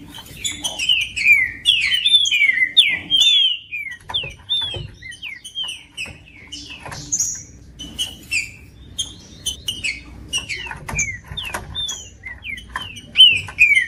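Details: Green-winged saltator (trinca-ferro) singing, meant to warm up a cold bird kept by tournament breeders; quick descending slurred whistles repeated in dense bursts, with sharp clicks and a low background hum.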